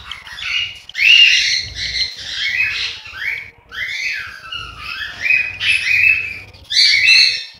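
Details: Cockatiel nestlings in Juazeiro do Norte, Ceará, Brazil, producing loud, squawky rasps, some sliding downward, in irregular bursts from more than one chick.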